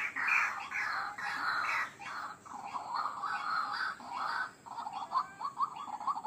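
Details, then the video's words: White-breasted waterhen in a lure recording for attracting wild birds, giving loud harsh croaking bursts, drawn-out at first, then breaking into shorter choppy notes. "Suara Pikat Ruak Ruak Ampuh"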